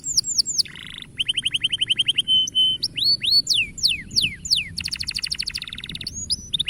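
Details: Canary song played to encourage young canaries to sing: rapid varied phrases of fast repeated trills, buzzy rolls, pure whistled notes and sweeping downslurred whistles, changing tour every second or so.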